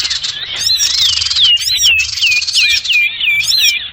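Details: Sirtu bird lure recording used to attract birds for trapping, described as noisy: dense overlapping high chirps and curving whistled notes, rapid and irregular, several voices calling at once with a constant hiss behind.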